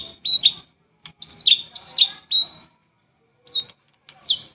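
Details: White-rumped shama, morning and evening lure song: sparse clear whistles, each a high note dropping to a lower one, given in small groups with silent gaps between.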